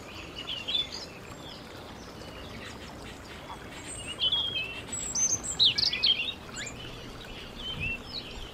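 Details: Canary singing at home: scattered bright chirps and short twittering phrases, some high and buzzy, coming in bursts with quiet gaps, over a steady soft hiss.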